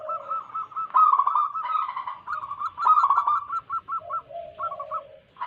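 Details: Zebra dove song from local wild birds, meant to draw in wild doves. Sustained rolling coos lead into a string of short staccato notes, while several soft, lower coos drift underneath.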